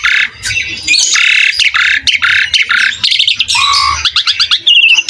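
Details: Asian pied starling singing hard: grating squawks and buzzy phrases, then a falling whistle and quick rattling notes, closing with a short high trill.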